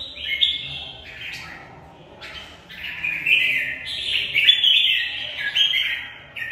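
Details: Red-whiskered bulbul, caged, delivering its fighting song: quick chains of bright warbled notes that step up and down, building into longer phrases toward the end.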